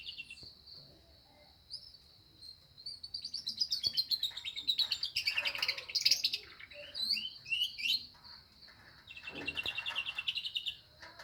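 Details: Atlantic canary singing with lovebird phrases mixed in: a long, steady high whistle runs under fast trills and chirps, swelling into dense rolling bursts, with faint background hum.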